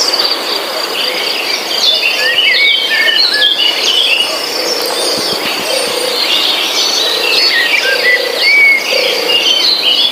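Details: Forest birdsong with many short chirps and whistled notes from several birds, some sharp and rising. A constant high insect drone runs beneath them throughout.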